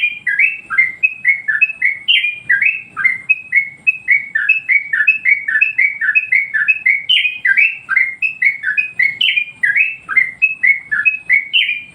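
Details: Yellow-vented bulbul master song for training other birds and stirring them up: a long, unbroken run of rapid, liquid whistled notes, about four per second, hopping up and down in a lively chattering pattern.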